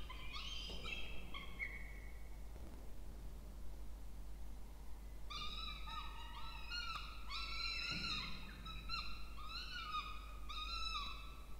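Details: Begging from two Peregrine falcon chicks fed at their nest box, Charles Sturt University water tower, Orange, New South Wales, Australia, 20 October 2024; a short burst of shrill whines, a pause of about three seconds, then a dense run of arched wailing notes.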